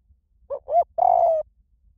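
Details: One spotted dove phrase in the high 'small voice' style for luring and training answering doves: two brief coos followed by a smooth, drawn-out croo that slowly falls in pitch.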